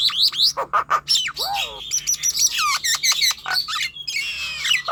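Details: Singing of a Nias hill myna, played to coax young or reluctant birds to sing: rapid squawks and whistles, a dipping rising harmonic note, then stacked buzzy notes and a long level whistle.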